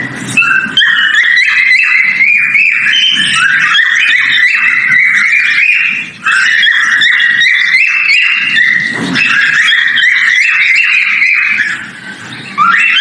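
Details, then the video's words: A male cockatiel in breeding sings its mating call as long, continuous warbled whistling of chained short notes wavering up and down, briefly interrupted near the middle. "Mating Call Male Cockatail Whistling Sound Of Breeding"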